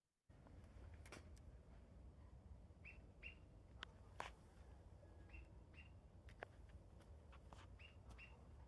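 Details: Rare Greater Pewee found in Nevada, a large crested flycatcher, giving short, sharp paired "pip-pip" calls like an olive-sided flycatcher, repeated at uneven intervals in a very quiet recording under steady low static and hiss.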